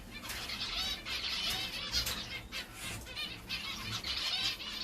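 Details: Male Gouldian finch, recently paired with a new female, gives dense, high, buzzy chatter of quick overlapping chirps and trills, with soft wing flutters throughout.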